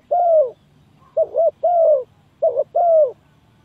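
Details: Spotted dove calling to lure birds into a trap: opens on a long falling coo, then two more phrases of a short throaty double note leading into a sustained descending coo.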